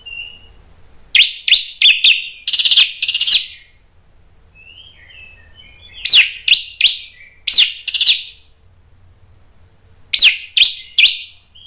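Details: Orange-headed thrush, caged, singing agitated bursts meant to provoke other birds: clusters of loud sharp chirps and whistles in three groups separated by quiet pauses, with faint soft notes between.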